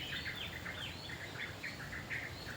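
Malaysian pied fantail giving a quick series of short, thin chirps, several per second, over a steady background hiss.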